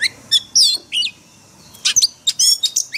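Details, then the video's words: Forest-style singing by an oriental magpie-robin, used for daily training of caged birds: loud, varied chirps and slurred whistles in short clusters separated by a pause of nearly a second. "Luyện chòe than hót giọng rừng mỗi ngày"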